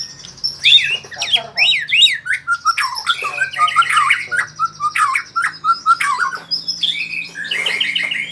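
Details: White-rumped shama learning rolling trills: a busy run of mixed whistles, sharp chirps and short buzzy notes in quick succession, some forming brief repeated figures.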